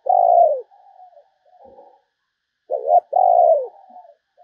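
A spotted dove gives low, soft, hollow coos in short phrases, a quick double note followed by a longer drawn-out coo, with quiet gaps between.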